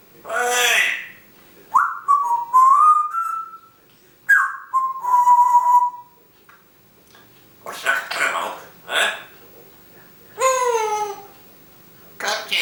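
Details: African grey parrot, a household pet filmed covertly, mixes speech-like syllables with clear whistled glides, some rising and some level, over about twelve seconds, with pauses between bursts, indoors.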